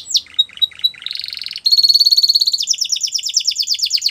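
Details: Training song of a Spanish Timbrado canary: a few spaced metallic notes, then a steady buzzing trill and a rapid rolling series of falling notes repeated several times per second.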